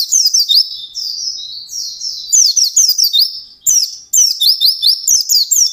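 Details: Intense white-eye song, ngalas style, mixing slurred high warbles with quick bursts of sharp rising twitters, with a couple of brief gaps.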